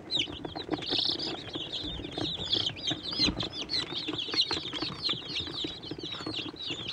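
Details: Baby chicks, Swedish Flower Hen, Bielefelder and Catskill Homesteader, eating and drinking in their brooder; constant overlapping high cheeping in quick bursts, one louder drawn-out peep near the start, with light tapping and shuffling.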